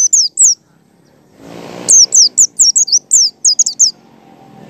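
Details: Lure song of a white-eye in the ngalas style: high, sharp, downward-sweeping chirps, a couple first, then after a short noisy pause a fast string of about ten rapid notes.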